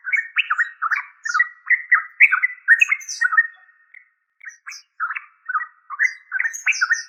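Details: Lively bubbling warbles of a yellow-vented bulbul (trucuk), a fast run of slurred notes, a brief pause near the middle, then a second run with thin high squeaks mixed in.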